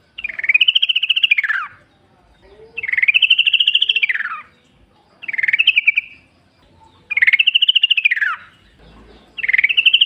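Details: Yellow-vented bulbul in the wild forest, a lure to prompt other bulbuls to sing back. Five loud, rapidly pulsed arching phrases, each about a second or more long, come every two seconds or so.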